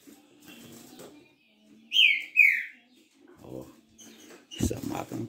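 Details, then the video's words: Captive green-winged saltator, a bird that arrived at an indoor room the day before, recorded on 3 October 2023: two loud, clear whistled notes sliding downward, with a man talking before and after them. "TRINCA FERRO galador"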